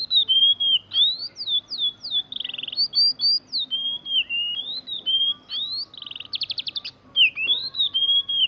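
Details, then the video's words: Young caged oriental magpie-robin, freshly out of juvenile feathers, delivering mimicked canary rolling song: quick downslurred whistles, sustained high notes, a rapid trilled rattle and fast buzzy pulses, varied phrases tumbling on without pause. "Burung Kacer NgeroL Kenari"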